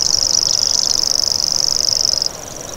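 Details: Common grasshopper warbler (Locustella naevia) reeling in a dense, high, insect-like buzz of rapid even pulses that stops abruptly near the end, leaving faint background hiss.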